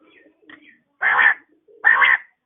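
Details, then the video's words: Morning calls of a female quail: two short, harsh, harmonic bursts less than a second apart, preceded by faint, soft low notes, with nothing else audible. "batair ki awaz | quail calling |بٹیر کی آواز صبح کے وقت"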